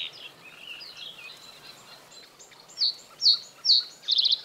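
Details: A male common reed bunting (Emberiza schoeniclus), singing on a territory in reeds near water in breeding season, gives three deliberate, high chirps about half a second apart, ending in a quick four-note jingle; faint twittering of other birds beforehand.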